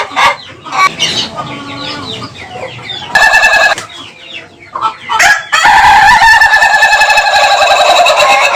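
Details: Laughing chicken (Ayam Ketawa) rooster: short broken calls and noise at first, then a brief pulsed crow near three seconds and a longer, sustained stuttering crow filling the last three seconds.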